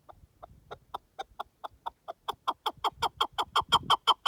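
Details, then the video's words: Wild partridge in a natural setting: soft, spaced chuck notes speed up and swell into a loud, regular, rapid chuckar-like chain, with a faint low rumble beneath. "Pure Partridge Calls in the Wild"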